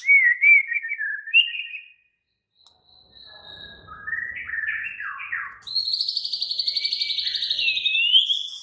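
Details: White-rumped shama singing in an agitated, raging manner: clear whistled phrases near two kilometres of pitch range, a rising slurred note, a pause, chattering mid notes, then a long fast buzzy trill pulsing about ten times per second.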